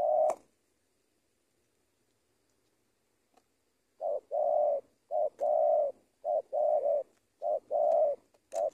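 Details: Spotted dove in Indonesia, kept as a trainee lure bird, giving one coo, pausing nearly four seconds, then a run of paired low coos, each a short note joined to a longer hooting note, with faint clicks.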